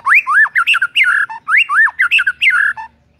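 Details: White-rumped shama song to provoke a rival shama: loud, rich whistled phrases with rising and falling slurs, sung twice in nearly identical sequences within three seconds.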